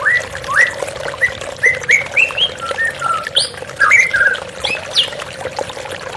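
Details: Therapy recording of a white-rumped shama singing with running water behind: varied clear whistled phrases, slurred up and down, with some higher sharp notes between them and a constant rushing water background.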